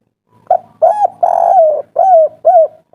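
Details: Spotted dove in kuk 3 style calling angrily to lure other doves into answering: a short coo, an arched note, a long harsh coo, then repeated downward-curving coos, with a faint low hum behind.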